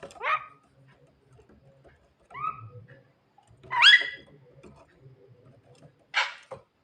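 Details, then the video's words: Javan myna at night, calling to its mate, gives separated bursts of sound: a harsh rasp, a doubled whistled note, a loud rich rising phrase and a final broad buzzy note, with a low hum underneath. "burung jalak kebo gacor malam - malam panggil mamake cewe"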